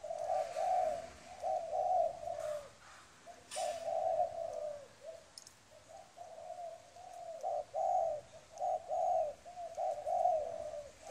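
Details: Newly wild-caught spotted dove cooing in soft, low, hollow phrases, each a few blurred notes, repeated steadily with short pauses; a faint clatter and a little background hiss.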